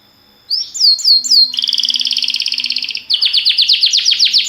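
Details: Timbrado canary training song: three sliding whistled notes, a steady rolled double-toned trill, then a rapid series of short falling notes.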